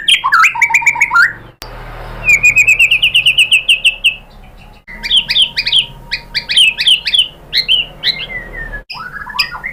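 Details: White-rumped shama (murai batu) song for provoking rival shamas to sing: varied bursts of rich whistled phrases, a steady chain of repeated rising notes, then complex mixed trills, separated by short gaps.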